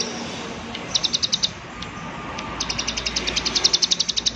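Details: Prinia giving its 'klik klik' call in a rapid, high ticking series: a short burst of about eight clicks near the start, a pause, then a longer run of even, sharp clicks to the end, over faint background noise.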